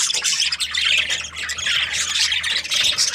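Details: Captive budgerigar breeding pairs chattering in a thick, shrill mass of overlapping squawks and tweets, with a faint low hum underneath.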